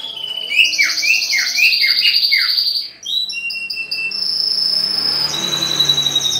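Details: A green leafbird, recorded while being paired with a mate, gives a rapid run of swooping, downslurred notes, then switches to high, thin, buzzy whistles and squeaky phrases in a small, echoey room.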